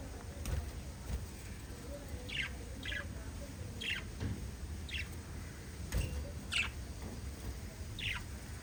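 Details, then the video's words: Lovebirds, a group of five, chirping: short, sharp, high chirps spaced about a second apart, some doubled, over a steady low rumble of background noise. "Five Little LOVE Birds Chirping Sound"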